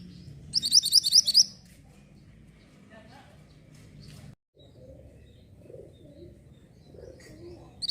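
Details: Mantenan orange bird singing, recorded to train white-rumped shamas: a quick series of about six shrill chirps, then low background sounds and a last short chirp at the end.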